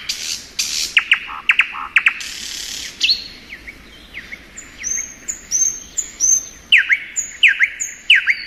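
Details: In spring, a thrush nightingale sings hard percussive clicks and short rattles, then a phrase of thin high rising whistles, then loud repeated chock notes with downslurred tails.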